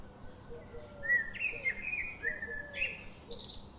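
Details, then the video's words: Bird chirping: clear whistled notes, some flat and some rising, in short phrases, with a faint lower whistle and soft background hum. "birds chirping sound"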